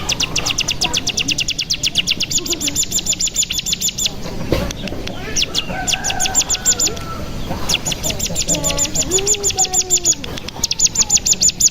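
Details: Bar-winged prinia lure with natural trilling meant to excite other birds into song. A fast, dry ticking trill runs for seconds at a time, broken by short lower whistled phrases.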